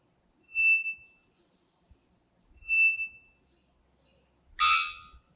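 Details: Three-wattled bellbird, a Central American cloud-forest species whose males give an explosive, metallic bonk to attract females: two thin, high whistled notes about two seconds apart, then one sharp bonk, over faint low rumbles.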